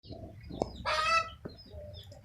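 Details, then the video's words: Chicken calling in the rain: a single loud, harsh squawk with stacked harmonics lasting about half a second, between faint clucks, over a steady low patter of rainfall. "the sound of rain accompanied by the sound of chickens"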